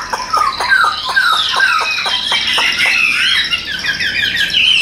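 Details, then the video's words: Hand-carried tame Chinese hwamei singing: a steady run of short, evenly spaced notes beneath a dense, loud warbling chatter of overlapping whistles. "Nhẹ Nhàng Sách Tay Hót, Đầu Mặt Cực Đẹp. Đấu Xòe Đuôi. Giọng Hay Ra Giọng Rất Đều"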